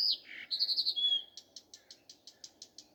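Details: Common nightingale in morning song, opening with a harsh buzzy note, then a quick pulsed phrase and a bright whistle, followed by a fast run of about ten evenly spaced clicking notes over a low hum.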